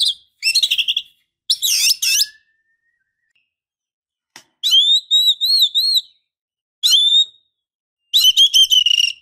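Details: Female oriental magpie-robin calling to get a male singing, mixing rattling buzzy bursts with a series of evenly spaced, wavy whistled notes and a closing rapid chatter.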